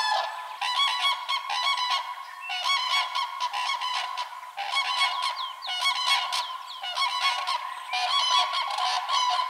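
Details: Common cranes trumpeting in spring during the breeding season, amid pairing and dancing: loud, rolling, bugle-like calls from several birds overlapping in bursts every second or two.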